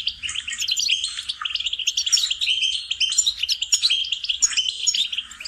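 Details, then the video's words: Goldfinch singing for song-training of cage birds: continuous rapid twittering, liquid tinkling notes and short trills run together without pause, bright and high, with occasional buzzy accents throughout. "Training and cultivating melodies singing lessons for goldfinches"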